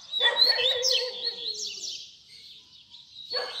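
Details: Double-collared seedeater song in the baderna style, a tutor recording for young birds; one rich phrase of high sweeping notes over a buzzy lower rattle, then a pause and the start of another phrase.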